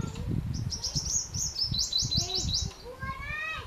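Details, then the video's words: A purple sunbird sings a quick run of high, thin, metallic notes, about four a second, then a lower twittering phrase, over a low rumble of background noise. "purple sunbird (શક્કરખોરો)"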